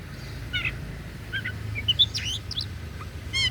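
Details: Oriental magpie-robin (kacer daput) in varied song: quick scattered chirps, short twittering notes and sharp upswept squeaks in irregular succession, over a low hum.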